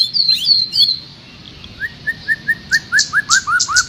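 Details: Birdsong used as master recording for training a caged trocok garuda: high sweeping whistles at the start, then a rising series of short clear whistled notes about every quarter second, with sharp high chips overhead.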